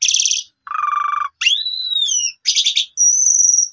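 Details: Asian pied starling sings to rouse a quiet starling: a buzzy rattle, a low rattling trill, a long arching whistle, another rattle, then a thin sustained high whistle.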